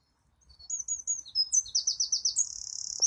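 A wren's loud, very high song: a few sharp notes, a quick run of slurred chips, then a fast dry trill, all within three seconds.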